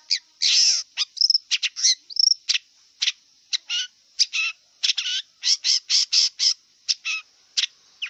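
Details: Wild long-tailed shrike in a fast, continuous song of loud harsh rasping bursts mixed with short chirped and slurred notes, delivered almost without pause over a steady high hiss.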